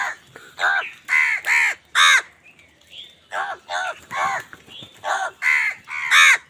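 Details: An angry crow, fighting other birds for food, calls in a rapid run of about a dozen loud, grating caws, mostly in quick pairs, with one brief pause midway.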